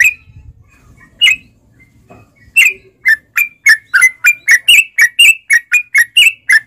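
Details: Lure song of a sooty-headed bulbul to get caged birds singing: after a few scattered notes and low rumble, a quickening series of crisp, slurred whistles about four per second.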